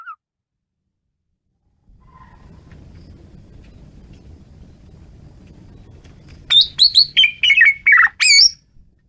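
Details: , Asian pied starling singing intensely: after quiet low rumble, a rapid run of loud whistled and slurred notes, some rising, some falling, packed into two seconds.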